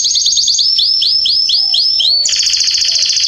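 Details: Canary in a garden, September 2020, singing a run of fast repeated notes, then slower downslurred whistles, then a loud rapid rolling trill.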